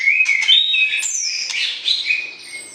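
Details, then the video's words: Caged white-rumped shama used in pairing, calling to stir the opposite sex: clear overlapping whistles, a high falling slur near the start of the second second, and steady mid-pitched whistled notes trailing off. "PERJODOHAN Murai Batu, PANCING Birahi Lawan Jenis , Agar siap Masuk kandang Ternak"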